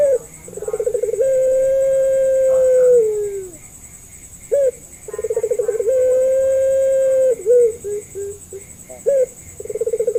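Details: Lure call of a puter pelung Barbary dove for doves slow to call: a rolling trill leads into a long, drawn, slightly falling coo, a pause, then more trills, long coos and short clipped notes.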